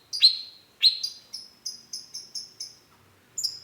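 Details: Long-tailed shrike (cendet) with two loud downslurred whistles followed by a run of short high clipped notes repeated about four times a second, ending in a sharp chip.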